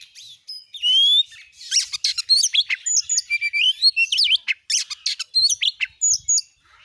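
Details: Oriental magpie-robin singing to provoke rival magpie-robins: a rich, varied jumble of high whistles, upslurred notes, squeaky chirps and harsh bursts, delivered rapidly with short pauses.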